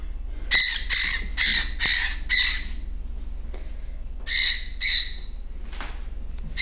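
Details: A female pet cockatiel, described as a very loud screamer, gives loud, harsh screeches in quick bursts, two short series with a pause between.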